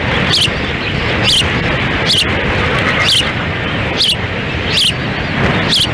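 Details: Osprey pair at their nest in Lolo, Montana, June 10, 2017, during a windy feeding of chicks. Thin, high chirps sound roughly every second through heavy, constant wind noise.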